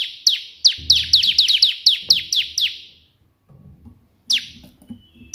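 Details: Ciblek, the Bar-winged prinia, firing off a tembakan perenjak putih burst: a fast run of piercing, falling notes lasting three seconds, a pause with soft low noise, then single sharp notes resuming.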